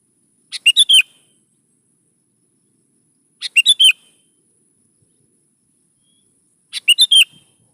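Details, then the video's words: Sooty-headed bulbul in full song, used to lure young birds into singing back: three brisk phrases spaced about three seconds apart, each a tight cluster of bright, liquid whistles with silence between. "PANCING SUARA BURUNG KUTILANG GACOR SATU INI"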